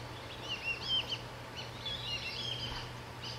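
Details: Black-bellied whistling duck flock calling loudly while flying over a backyard at sunset in central Florida, after leaving a lake roost for feeding fields; several thin whistled notes overlapping, over a steady low hum.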